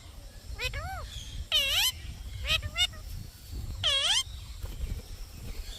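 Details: Green parrot calls: a few loud arched, rising-and-falling harmonic squawks spaced a second or more apart over steady background noise.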